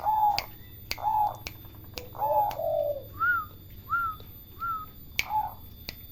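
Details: Short turtle dove coos repeat about once a second, then give way to three brief higher notes that rise and fall, with sharp clicks and a faint low hum underneath.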